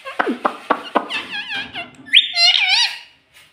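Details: Talking rose-ringed parakeet kept indoors, reportedly saying "mummy" and "papa", gives rapid clicking syllables and then a rolling run of squeaky, warbled, speech-like notes.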